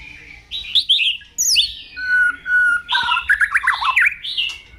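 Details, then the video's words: White-rumped shama in morning song, delivering rich, fluty whistled phrases, a long level whistle, then fast warbled trills and buzzy notes in bursts, over a quiet low background hum. "Koar2 di Pagi Hari"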